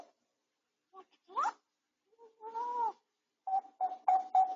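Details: Indoor home-camera recording of a pet grey parrot healing from a sore beak tip: gliding whistled sweeps, then a drawn-out bending tone and a quick string of four clipped tonal notes.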